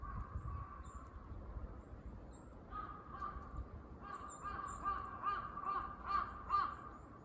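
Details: Crows calling noisily in a park during squirrel watching: after a quieter start, rough, nasal caws come in a fast series of about two or three a second, loudest near the end, with faint high bird chirps and low outdoor rumble.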